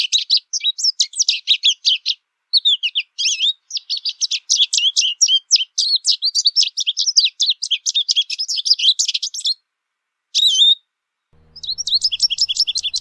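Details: American goldfinch singing in nature: long run of rapid, varied twittering notes with sharp rising and falling slurs, high and bright, in busy phrases broken by short pauses, one clear drawn-out whistle near the end.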